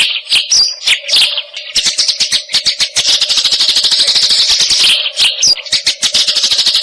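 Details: Eurasian tree sparrow song used to tutor songbirds such as white-rumped shama and greater green leafbird; bursts of high chips run into a fast continuous chatter, with brief pauses and a constant low hum beneath.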